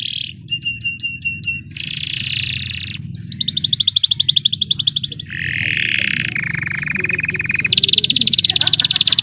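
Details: Belgian canary song meant to make other canaries sing: a chain of varied high trills and rolls, some clipped and rattling, others smooth and buzzy, changing every second or two over a low background hum.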